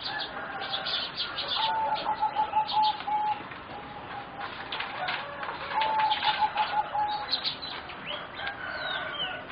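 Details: Bred for contest singing, four zebra doves about 3.5 to 4 months old trill in rapid beaded coo phrases, two clear bouts several seconds apart, with a busy background of sparrow-like chirps.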